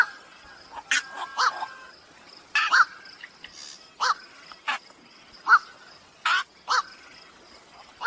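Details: Night heron call used as a trapping lure, 2023 night-bird season: rough, hoarse croaks at irregular intervals of one to two seconds, each brief and grating, with a thin steady high tone throughout.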